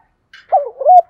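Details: Female spotted dove call meant to stir a male into cooing: a faint higher chirp, then a drawn-out wavering coo that dips and rises again before ending on a steadier note.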